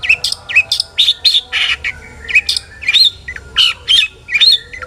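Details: Long-tailed shrike singing vigorously in a full song packed with varied fill-in notes, used to provoke other shrikes into singing: rapid bursts of sharp chirps, upslurred whistles and short buzzy notes, separated by brief pauses.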